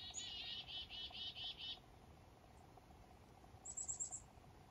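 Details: Black-capped chickadee calling on a foggy morning up north during a fishing trip: a quick run of about eight harsh, buzzy, evenly spaced notes, then a brief cluster of thin high chips after a pause.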